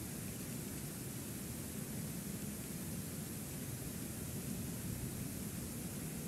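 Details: Only an even, rumbling outdoor noise like wind is heard, with no animal calls.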